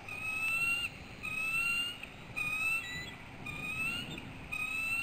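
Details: Bald eagle chick in its Maine nest, filmed on a live nest cam on an afternoon in June 2012, calling eagerly during a feeding: a series of high, clear whistles, each gently rising, spaced roughly a second apart over faint hiss.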